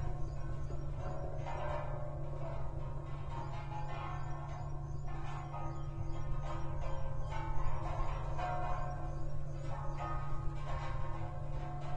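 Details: Gentle plucked-string music plays throughout over a steady low hum, with no animal calls heard.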